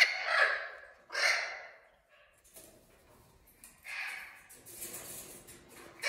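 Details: Young Spix's macaws, three to six months old, in a captive breeding kindergarten in the 2020 breeding season (species extinct in the wild): two loud, harsh screeches about a second apart, then a softer rasping call near four seconds, with faint chatter.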